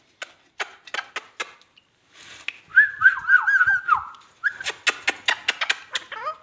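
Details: Talking ringneck parrot produces a sequence of dry clicks, then a wavering, warbled whistle with rapid up-and-down pitch turns for over a second, followed by another burst of quick clicking taps.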